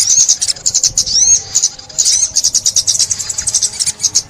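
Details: Sunbird song used in bird trapping, 2021: shrill chattering trills with a pair of clear arching whistles near the start, then a steady run of quick high ticking notes.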